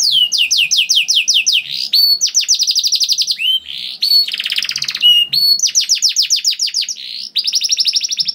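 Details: Canary in full song, meant to trigger singing in other canaries: fast repeated falling notes, dense rolling trills and short buzzy bursts, changing phrase every second or two.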